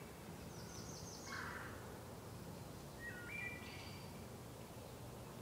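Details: A wood thrush sings in a sacred grove, heard but not seen (possibly a hermit thrush): two flute-like phrases, each a few clear stepped notes ending in a high, thin trill, over a steady low hiss.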